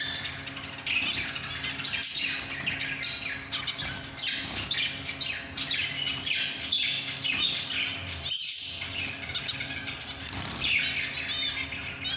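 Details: Zebra finch (Taeniopygia guttata) song: fast, nasal, buzzy chatter of high notes and squeaky toots, repeated in busy bursts.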